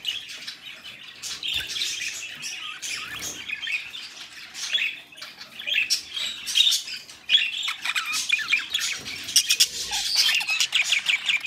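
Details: Budgerigars kept as pets, mating, give a continuous scratchy warble mixed with clicks, squeaks and buzzy rattles, growing busier and louder toward the end; faint low thumps now and then.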